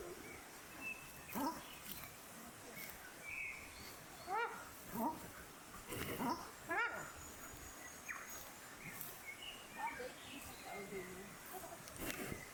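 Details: Newly hatched paradise shelduck ducklings on their first afternoon on a lake in New Zealand, in the afternoon: short, harmonic calls, singly or in quick pairs, scattered irregularly over steady outdoor background noise.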